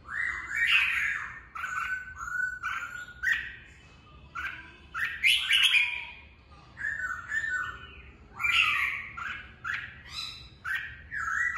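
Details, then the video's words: Trained captive red-whiskered bulbul in full song for contest practice; lively, jumbled whistled phrases mixed with harsh squeaky notes, coming in quick clusters with brief gaps throughout. "Chào mào bọng hay, hót luyện bổi ra giọng, luyện chim đấu giàn"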